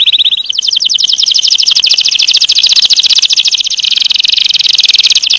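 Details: Canary delivering a long rapid rolling trill, dense and buzzy, held at a steady high pitch after a brief higher opening note.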